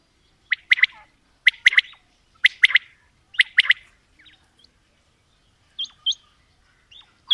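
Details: Male and female quail calling: four loud, crisp phrases of three fast notes each, spaced about a second apart, followed by a few softer single high chirps in otherwise quiet surroundings.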